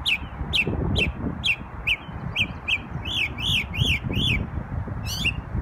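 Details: Memorial Day singing from a bird in New York: several quick downslurred chips, then a run of arched, rising-and-falling whistled notes, a final buzzy note, with low rumbling noise beneath.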